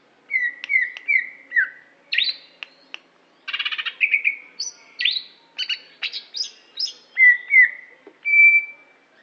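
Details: Greater green leafbird of Aceh stock singing a string of downslurred whistles, then dense chattering notes and high sharp chips, ending on a long clear whistle.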